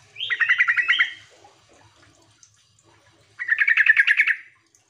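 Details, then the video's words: Sooty-headed bulbul calling to provoke reluctant birds into answering: two bursts of rapid, harsh chattering notes around a second long, separated by a three-second pause with a faint low hum. "trucuk memanggil teman - sekali putar trucukan bahan malas bunyi langsung nyaut sahut sahutan"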